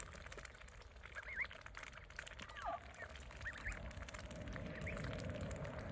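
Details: Saxony and Muscovy ducks with ducklings; several hoarse, wavering duck calls rise and fall in the middle, over a steady hum.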